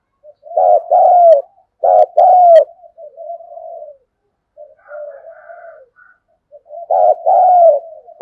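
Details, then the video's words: Spotted dove decoy bird calling with thúc, gù and gáy gọi phrases. Two loud double coos, then a long quiet stretch of soft, low crooning and a faint higher hum before a final pulsed-and-drawn coo pair. "Chim Cu Mồi với giọng gáy đủ bài như : Thúc + Gù + gáy Gọi"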